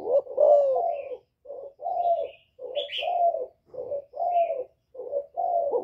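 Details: 'Giọng thổ' style calling from a spotted dove, meant to provoke rival males. Around eleven low, rounded coo notes come in short and longer pairs with short gaps. Faint high twittering of small birds sounds between them.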